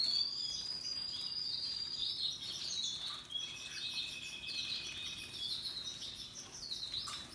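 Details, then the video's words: Happily singing Russian yellow and Timbrado canaries among other birds: high sliding whistles and rapid trills shift in pitch, with a lower sustained whistled line joining midway and scattered chirps. "Relaxing Canaries and others birds singing sounds"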